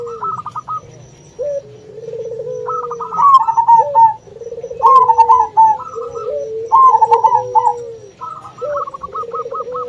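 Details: Local zebra dove calling to bring rivals to answer, overlaid with another dove (puter): bursts of quick ticking coos alternate with low trilled purring phrases, the pattern repeating about every two seconds.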